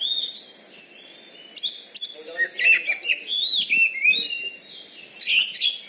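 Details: Oriental magpie-robin in Bengkulu, Indonesia. A caged champion contest bird, it has a loud voice and a special fighting style. Rich varied song of high whistles, rapid chattering phrases and slurred notes in quick succession.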